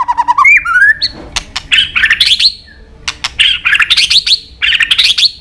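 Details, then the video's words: Song of a white-rumped shama used for training, mixing many forest voices: stacked whistled notes and a rising slur, then sharp clicks and bursts of rapid, varied chattering phrases with short pauses between. "Luyện Nhiều giọng dài cho chòe lửa cực chất. chòe lửa kéo dây đảo nhiều giọng rừng. tạch đập đuôi"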